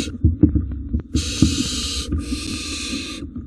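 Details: Wild barn owls in a nest box at feeding time; two long raspy hissing screeches come after a flurry of thumps and scrabbling sounds.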